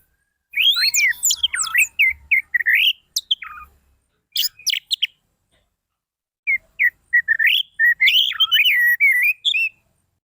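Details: Orange-headed thrush lure song for prompting quiet birds to sing: long, varied warbling with swooping whistled slurs and sharp high flicks, a short pause midway, then another fluent rambling phrase.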